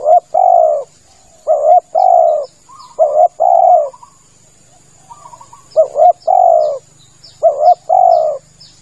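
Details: Lure call of a spotted dove for hunting from a hide: repeated paired phrases of a quick double coo and a long rolling croo, with small high chirps from other birds and a faint low hum.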